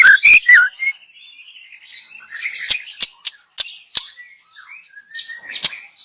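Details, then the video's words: Young wild white-rumped shama from the forest, recorded as a lure; brief loud burst of slurred whistles and clicks, followed by soft high chattering, scattered sharp clicks and quiet warbled notes. "Kicau burung MURAI BATU Muda Hutan. Cocom untuk pancingan"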